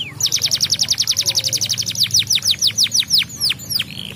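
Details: Yellow canary stimulating song: an even, rapid series of bright notes gradually lengthening into deep downward swoops, ending in a short level whistle.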